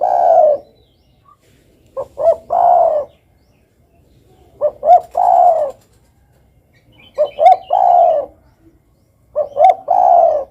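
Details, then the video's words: Spotted dove cooing steadily, with roughly five repeats of a pattern of two short clipped notes and one long, rolling, falling coo, spaced about two and a half seconds apart in a quiet setting. "suara burung derkuku"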